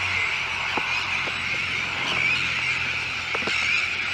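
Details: Sandwich tern breeding colony with chicks on a newly built shell island at De Putten, Netherlands: a dense, unbroken din of harsh, high calls from many birds, with a few short clicks rising above it.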